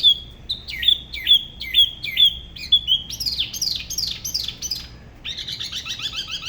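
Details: Spot-throated babbler from Da Lat, Vietnam, singing alone at the La Ba river in an unusual regional style: clear repeated whistled notes with a dipping inflection, then rising buzzy strokes and a rich, jumbled high warble.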